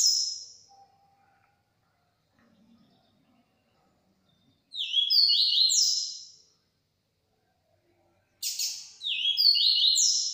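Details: Yellow-bellied seedeater singing strongly: a high opening note, then two long bursts of fast repeated, buzzy-edged whistles in stepped high phrases, separated by silence; a man comments admiringly afterwards.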